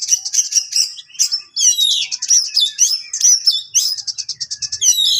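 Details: Kacer HC, an Oriental magpie-robin, pouring out a sharp, piercing song meant to rile rival birds: high, rapid ticking trills alternating with loud, swooping whistles and harsh rattles, almost continuous.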